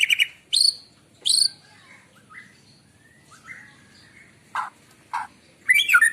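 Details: Morning white-rumped shama song used as a lure: bursts of high ringing whistles, soft fluted notes in between, then harsh downward chirps and a quick jumbled phrase at the end.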